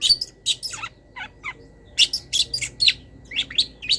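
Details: Long-tailed shrike, a master recording for cage-bird training with wild-bird fill-ins. Bright, rapid chirps and short descending whistled notes come in quick, uneven bursts, about every half second.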